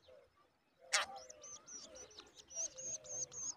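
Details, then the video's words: The only chick left in a woodshrike nest, fed regularly by its mother, begs with rapid thin, very high chirps about three per second; a sharp click and soft lower cooing are heard in the background. "Only one baby left in Woodshrike nest and mother feeding him regularly"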